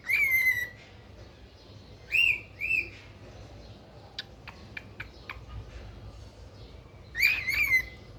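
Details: Pet cockatiel giving a wavering whistled call, then a double note, a stretch of faint clicking, and another two-part rising and falling whistle at the end.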